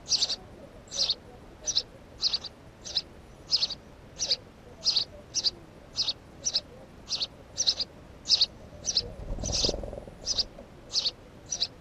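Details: Unedited documentary recording of a house sparrow chirping repeatedly, each short high note about two-thirds of a second after the last, roughly eighteen in twelve seconds, with a low rumble near the end.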